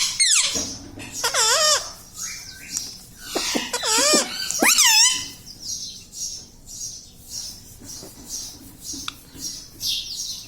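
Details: Domestic talking parrot indoors, taught phrases like radhe radhe, uttering several sharp, shrill, looping speech-like notes in the first five seconds, followed by quieter room noise and faint high chatter.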